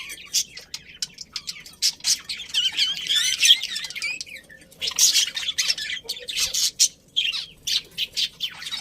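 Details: Budgie colony chirping happily: rapid twittering warbles with wavering, squeaky notes, broken by short gaps between bursts of chatter.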